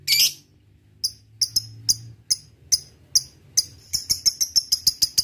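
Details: Lovebird ngetik leading into ngekek, played to provoke rivals: an opening harsh squeal, then high sharp ticks that start sparse and speed up into a fast repeated chatter.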